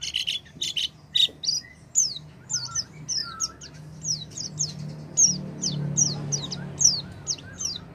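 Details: Oriental white-eye lure song for a bird that has gone quiet: a few buzzy chirps open into a steady string of high falling whistles, roughly one or two per second, over low background hum.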